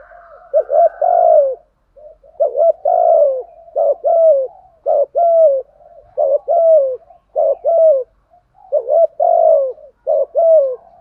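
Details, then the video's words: Spotted dove decoy cooing to lure wild doves, in a repertoire of calling, urging and soft 'gù' coos: low, mellow, hollow coo phrases with a rising lilt, roughly ten short bursts repeated about once a second, with no other sounds. "Tiếng chim cu gáy mồi bài bản gù thúc. kích bổi là gáy"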